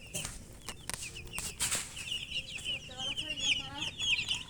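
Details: Baby chickens, colour chicks, chirping from thirst for drinking water: rapid overlapping shrill peeps, growing busier in the second half, with a few low thumps and brief lower sounds mixed in.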